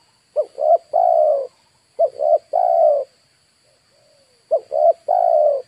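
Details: Spotted dove used as a decoy to draw in wild birds. It coos three times, each phrase a pair of short rising notes followed by a longer level coo, with a brief pause before the last phrase.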